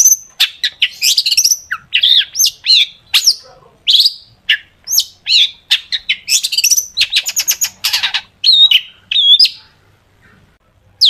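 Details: Vigorously singing long-tailed shrike delivering sharp 'tembakan' shots, a recording meant to coax shrikes into song; a long unbroken stream of varied harsh chirps, rattles and downslurred whistles, rapid and clipped, fading near the end.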